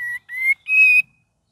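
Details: Cream-vented bulbul with a gacor and ngeriwik song variation: three pure whistled notes, each a little higher and longer than the last, in a quiet setting.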